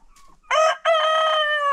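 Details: Rooster crowing on a chicken farm during a daily after-breakfast crowing contest: a short opening syllable, a brief pause, then a long, steady, strongly harmonic crow that holds its pitch to the end.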